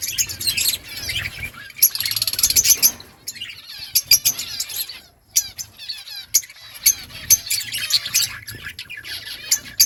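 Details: Budgerigars in an outdoor colony chatter with high warbled trills and scratchy chirps, in bursts separated by brief lulls, many birds calling at once.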